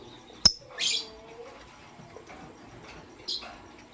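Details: Pastel gray and green lovebirds in the morning giving a few sharp, high chirps: one snappy click-like note, then a brighter, longer chirp, and a final short chirp after a pause, over a faint low hum.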